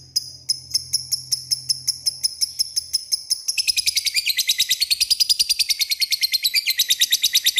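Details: Lovebird used as a lure to call out rivals. Spaced, sharp high ticks speed up into a continuous rapid ngekek chatter of shrill chirps. A faint low hum is heard early on.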